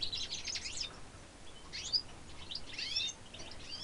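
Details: Goldfinch x redpoll hybrid singing high, rapid twittering phrases in three short bursts, scratchy and bright, over a soft background hiss, recorded in 2013.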